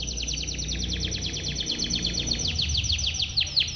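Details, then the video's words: Timbrado canary song meant for training canaries, a long rapid series of high descending sweeps repeated several times a second, loud and steady throughout, with faint low hum underneath. "TIMBRADO canary singing - Timbrado canary's most powerful song for training / canary training song"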